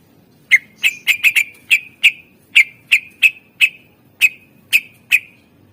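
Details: Greater green leafbird song used as a lure for other birds: sharp whistled notes around one pitch, each with a brief buzzy tail, about fourteen notes in irregular succession, quiet low background hum.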